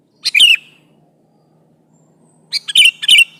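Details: Sooty-headed bulbul singing actively to challenge an opponent: one short chattering phrase, a pause, then a longer burst of three rough, bubbly notes with slurred whistled endings, clear and close.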